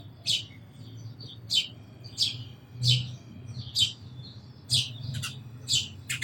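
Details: Sparrow giving about eleven sharp, bright chirps in six seconds, each a short high burst, spaced unevenly with soft low background hum.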